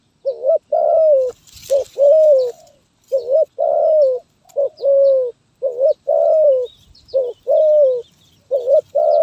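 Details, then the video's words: Zebra dove singing in the 'gagap tindan (sepatah)' style, recorded 23 January 2022: a loud run of mellow, wavering coos, short stuttered notes mixed with longer rolling ones, about a dozen phrases in quick succession with brief gaps. "Burung Terkukur Gagap Tindan (Sepatah)"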